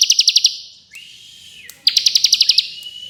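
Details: Bar-winged prinia in rapid 'ngebren' style: short rattles of crisp high ticks at roughly ten per second, broken by a thin steady whistle, then another clicking run.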